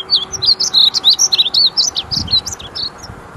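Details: Male painted bunting in song at Wichita Mountains Wildlife Refuge, Oklahoma, delivering a fast, bright warble of high slurred and twisting notes, about three seconds of continuous tumbling melody over soft background noise.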